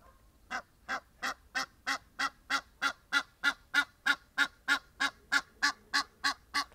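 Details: Egyptian geese out in nature, friendly birds with one displaying stretched wings; a steady series of harsh, nasal honks repeated about three times a second, evenly spaced and growing slightly louder.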